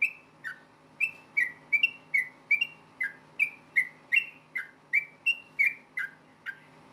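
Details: Yellow-vented bulbul giving a fighting song to provoke replies from other bulbuls, a fast series of short clear whistles sliding downward, about three notes per second, with a quiet background hum.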